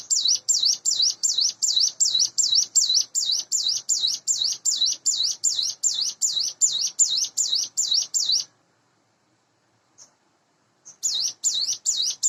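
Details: Caged Sunda bush warbler, hand-reared, about eight months of age, morning singing: long steady train of high wavy notes for over eight seconds, silence with a single faint note, then the series restarts.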